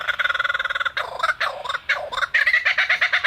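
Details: Superb lyrebird (Menura novaehollandiae) in Australia in full song while flitting between trees: a fast, even rattle of rapid notes, then a jumble of loud, varied phrases and chattering bursts.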